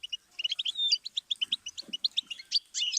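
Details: Goldfinch song offered as a learning stimulus for songbirds: quick run of bright chirped notes repeated several times a second, with a drawn-out whistled slur near the start and a tinkling flourish at the end.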